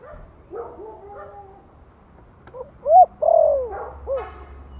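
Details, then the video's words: Vietnamese spotted dove giving a gentle Giọng Thổ lure call to excite newly kept birds: soft low coos first, then a loud phrase of a short coo, a long downward-sliding coo and a clipped final coo. "Tiếng chim cu gáy Giọng Thổ kích mồi nhẹ nhàng"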